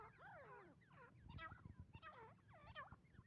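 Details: Calls of a female grey francolin, known locally as teeter: several bent, squiggly harmonic notes in quick succession, each looping down then up, set against a constant low-pitched background hum.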